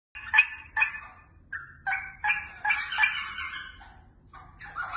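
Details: Pair of pet rosella parrots, whistling as the owner comes near or brings food; rich, harmonic whistled notes in about five bursts, then a longer warbling phrase and two sharp notes at the end.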